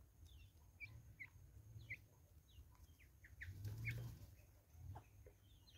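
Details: Natal spurfowls calling as a flock in woods in South Africa, uneven bursts of short, harsh, downslurred notes, with a low rumbling noise swelling midway.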